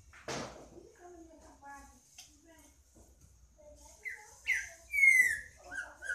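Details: Green-winged saltator: soft low warbling notes and a sharp click early on, then loud downslurred whistles build toward the end.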